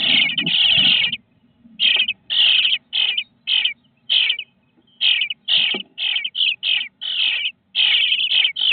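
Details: Bluebird nestlings, 18 days old in a nest box, beg with harsh, raspy, high hissing bursts, each under half a second, in quick uneven runs with brief pauses.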